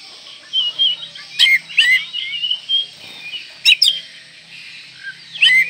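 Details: Oriental magpie-robin singing an embellished song meant to excite breeding condition and rival birds: wavering whistled phrases, interrupted three times by loud scratchy downslurred bursts, over a faint low hum.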